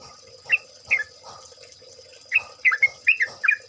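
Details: Yellow-vented bulbul from a chorus recording used as a lure: a few scattered bubbly chirps, then a faster cluster of warbling notes near the end, with steady hiss behind.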